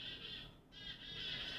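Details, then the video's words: A Black-capped Chickadee gives its winter call: harsh, buzzy high notes in two dense bursts with a brief gap, like the dee-dee-dee end of the call. "Oh, there's the chickadee call."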